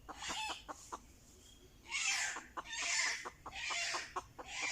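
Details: Red junglefowl drawn in by a decoy: rough, hissing bursts recur about every half second, mixed with sharp clicking knocks throughout.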